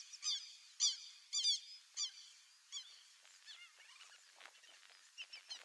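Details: Free-living White-faced Whistling Duck, irerê: four or five loud, thin whistles with a rising-falling slur in the first two seconds, followed by fainter, more distant whistling notes trailing off.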